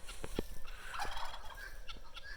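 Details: Guineafowl in spring, said to call nonstop, giving harsh, rattling, chattering calls in quick uneven bursts, with low background rumble throughout.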